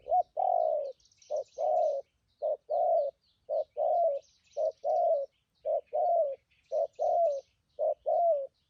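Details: Wild-caught spotted dove used as a trapping decoy, strong-voiced, in thúc gù and phóng rước cooing style: paired low hooting coos, a short note then a longer falling one, repeated about once a second, with faint high chirps of other birds behind.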